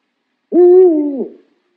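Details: Single low, hollow owl hoot, slightly wavering and lasting under a second, ending with a brief downward bend, in otherwise silent surroundings.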